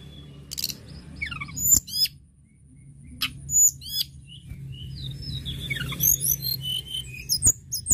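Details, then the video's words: Lively 'gacor' song of a tledekan gunung lark: quick high chirps, hooked whistles and fast rattling trills, louder and denser toward the end, with a steady low hum underneath. "Tledekan gunung gacor"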